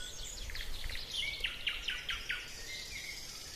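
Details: Spring forest birdsong; a bird gives a quick series of about six sharp, evenly spaced chirps, with other high twitters and a faint whistle behind, over a low rumbling background.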